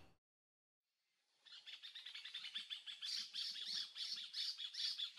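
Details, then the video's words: A pair of Robust Woodpeckers (Campephilus robustus) trade fast, harsh, chattering interaction calls, two or three high notes a second, louder and denser after a brief silence; Vargem Grande Paulista, São Paulo, Brazil, April 2023, no playback used. "Robust Woodpecker calls and interaction calls"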